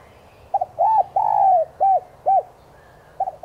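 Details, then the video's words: ['Lure cooing of a spotted dove, used to spur caged birds into calling. A single phrase with a short doubled opener, two rounded coos, a long sliding note, then two clipped coos in a low, mellow voice.'] "Tiếng chim cu gáy mồi chuẩn thúc kích bổi nhanh nổi hiệu quả"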